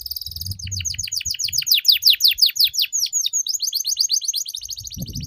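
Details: Canary master song for training, full of varied phrases: rapid high trills of repeated rising and falling notes, fast and sustained, shifting between trill types every second or so, with faint low rumble at start and end.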